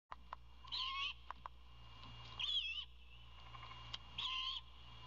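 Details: Young owl begging for dinner as its father arrives with food, apparently a rodent: three harsh, hissing screeches of about half a second each, spaced under two seconds apart, with sharp clicks between them over a steady low hum.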